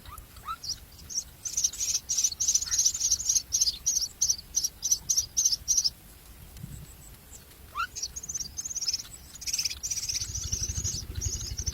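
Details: Common myna nestlings being fed a lizard: loud runs of harsh, rhythmic high rasping bursts for six seconds, a pause with a rising squeak, then softer renewed begging over low rumbling.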